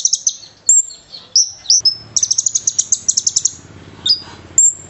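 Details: Konin bird singing a lively fighter-style song filled with cililin phrases, recorded for training other birds: high thin whistles, sharp upslurred notes and a fast run of about a dozen bright chips, all very high-pitched, over faint low background hum.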